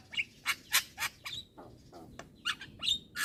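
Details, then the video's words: Young Javan myna, head nodding as it chatters without pause: scattered rasping squawks and short bent whistles at irregular intervals, ending in a harsh hissing burst. "Ocehan Jalak Kebo Muda Suara Asli Jalak Kebo Manggut Manggut Ngoceh Tanpa Henti"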